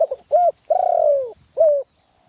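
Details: Spotted dove in Phrae, Thailand, with a small, fierce voice: a quick double coo, a clipped arched note, a long drawn-out falling coo, then another short rounded coo, all clear and mellow.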